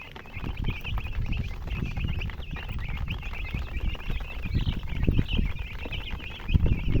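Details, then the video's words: Baby chickens chirping constantly with thin, bouncing high peeps, partly masked by heavy low-pitched rumbling and thumping noise. "Baby "Chicks Chirping" Sound"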